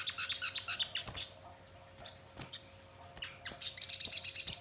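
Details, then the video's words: High sogon song used to provoke birds into singing and responding: quick chattering twitters, a thin sliding whistled phrase, then a bright rapid trill rising in loudness at the end. "Pancingan Sogon Bahan Agar Cepat Bunyi Gacor dan Langsung Respon Nyaut"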